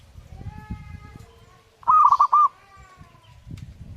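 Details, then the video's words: A zebra dove, singing vigorously, gives a single quick stepped cooing phrase, preceded by a drawn-out harmonic call from another animal over low thumping background noise. "burung perkutut gacor"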